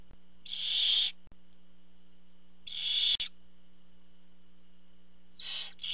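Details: At a monitored barn owl nest, with the father bringing food, rasping drawn-out hisses come about every two seconds, two full calls and a third beginning at the end, with a faint mechanical hum underneath.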